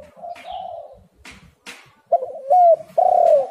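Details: Lure recording of a spotted dove for drawing other doves into calling. A soft, level cooing phrase and a few clicks give way to three loud coos, the last two longer and sliding downward.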